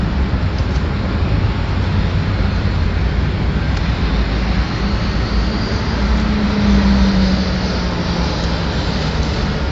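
Loud, continuous urban traffic and aircraft roar in a city, with no animal calls.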